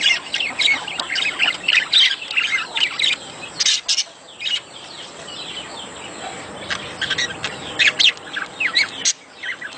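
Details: Budgerigar mating sounds to stimulate breeding: twittering chirps and warbles with loud clicking bursts near the start and middle. The chattering becomes softer and sparser toward the end.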